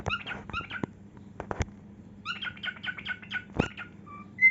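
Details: A cockatiel sings as it dances and spreads its wings in a heart shape. Clusters of quick chirped notes alternate with sharp taps and clicks, ending in two brief pure whistles, with a low hum underneath.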